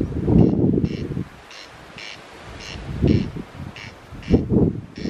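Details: A hidden corn crake near the Backpackers Hostel on Colonsay gives a dry, rasping double crake, repeated about every half second, faint behind gusts of wind and rustling.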